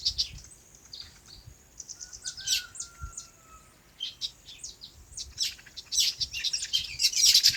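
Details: Birds chirping on a farm in their natural habitat: scattered sharp, high tweets and short trills arrive in irregular bursts, with a thin, drawn-out whistle in the middle and a louder, busier flurry of chirps near the end.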